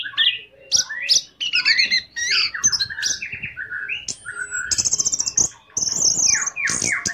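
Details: Varied orange-headed thrush song meant to stir another thrush to sing: quick downward slurs, harsh notes, a rapid buzzy trill and high thin whistles in a busy, mimic-like sequence.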